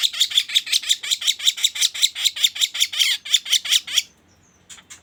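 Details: Sooty-headed bulbul, lure sound for bird trapping: a steady run of about twenty harsh, buzzy chips at roughly three per second, ending abruptly, then a couple of faint notes.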